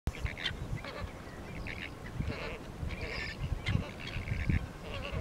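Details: A flock of Chilean flamingos at Doblas, La Pampa Province, on 21 October 2018 gives overlapping nasal, goose-like honks in short bursts, many birds calling at once, over a steady low rumble of wind.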